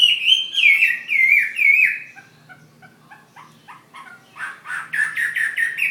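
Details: Fighting Chinese hwamei from Ha Giang, Vietnam, giving loud, looping whistles for two seconds, falling quiet except for faint clicks, then resuming with a fast string of short repeated notes.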